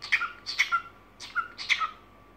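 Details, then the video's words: Pet cockatiel at evening song, giving four rasping chirps, each sliding into a brief flat whistle, in quick pairs over about two seconds. "Вечерние распевки"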